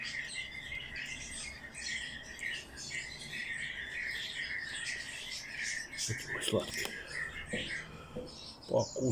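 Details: Bird chick begging while being hand-fed, a run of thin, high chirps and squeaky notes for about six seconds, then handling noises and a few sharp clicks.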